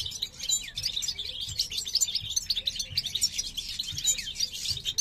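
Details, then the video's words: European goldfinch, subspecies parva, male in song near a female inspecting a fresh nest in a breeding cage, 2023; fast, bright twitters and sweet tinkling phrases pour out without pause, notes sliding up and down quickly. "jilguero parva macho cantando"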